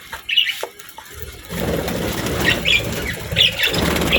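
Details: Pet budgies eating healthy food during a daily routine; a few short, high chirps come in sparse bursts over steady crunching and rustling feeding noise.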